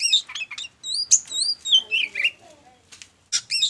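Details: Oriental magpie-robin, song to trigger other birds: clear high slurred whistles and chirps, a descending warble, a quiet pause, then sharp notes resuming.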